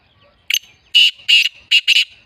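Black francolin giving a harsh, rasping call: a short opening note, then four loud grating bursts in quick succession, with no other sounds.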